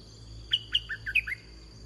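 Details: A single quick red-whiskered bulbul phrase during bird luring: two loud high whistles then a descending cluster of warbled notes, all within a second, above a low rumble and a thin high tone.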